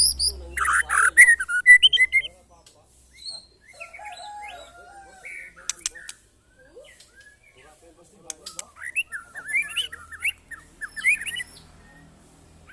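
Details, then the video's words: White-rumped shama tested for mental strength alongside neighbours' birds: a loud burst of shrill, varied notes opens, then scattered chirps and short whistled phrases follow with quiet gaps between them. "test mental burung murai batu"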